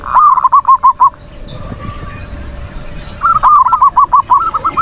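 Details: Zebra dove (perkutut) in Indonesia cooing in the manggung style, used to lure other doves into calling and to provoke rivals: quick runs of about eight rhythmic coo notes, two bursts with a pause between, over steady background hiss.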